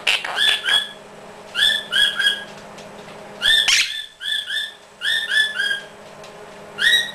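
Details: Quaker parrot kept as a pet, practicing chatty talk: short paired whistled chirps, each dropping slightly in pitch, come in quick groups of two or three with brief pauses, broken by one harsh squawk.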